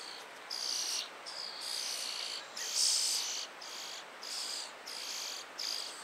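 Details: European starling chicks in a tree cavity begging while a busy parent brings food; high, hissing, raspy bursts about half a second long repeat quickly with brief gaps, one burst louder near the middle.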